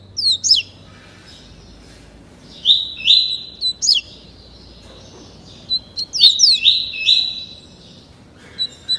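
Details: Captive double-collared seedeater, 30 days old, trained in the tuí tuí Alcântara song: two bursts of rapid descending whistles running into long buzzy high phrases, separated by a pause, with a few faint single chips.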